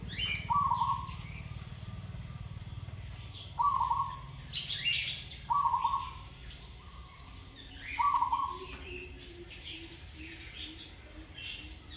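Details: Zebra dove under training repeats short rolling, trilled coos roughly every two to three seconds, four clear phrases in total, while other small birds chirp and twitter at higher pitch throughout.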